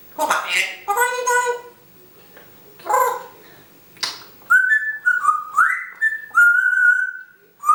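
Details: Female pet African grey parrot, secretly filmed indoors, out of her cage most of the day, babbles speech-like phrases such as 'hello', then gives a run of clear whistled notes, some rising and some level, in short repeated bursts.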